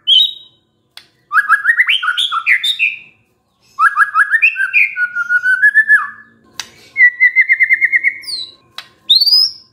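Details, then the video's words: White-rumped shama, a stressed murai reacting to a lure recording, gives clear whistled phrases, rising slurred notes and quick repeated trills in bursts separated by short pauses. "SEKETIKA MURAI STRES SONTAK BERBUNYI DENGAR PANCINGAN INI"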